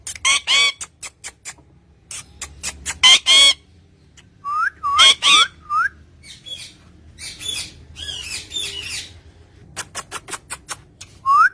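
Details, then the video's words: Green parrot by its owner, giving sharp whistles and harsh squawks in irregular bursts, with a few rising whistled notes and pauses between. "Beautiful parrot talking to it's owner"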